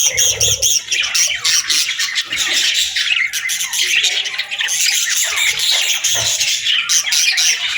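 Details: Several budgerigars in the afternoon give a continuous scratchy warble of chirps, clicks and squeaky notes, with faint low thumps near the start.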